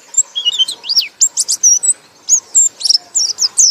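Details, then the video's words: White-eye, called pleci, singing ngekek: bright, high slurred notes in fast clusters. A short gap in the middle is followed by more rapid, loud chirping. "pleci anda akan ngekek ngekek keras"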